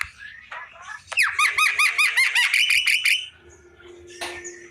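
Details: Javan myna singing in the afternoon: a loud run of about ten squeaky, rising-then-falling ringing notes repeated quickly, preceded by softer chatter, over a low steady hum.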